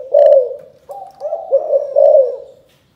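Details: In the 'chụp chụp ô' calling style, a spotted dove from Can Tho, Vietnam, gives a loud husky coo, a wavering middle passage of shorter notes, then a final drawn-out coo that fades.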